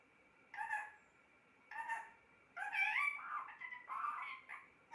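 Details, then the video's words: Pet parrot speaking short, nasal word-like bursts, first singly then run together into a longer warbling phrase with rising and falling tones, over a quiet steady hum. "Talking parrot"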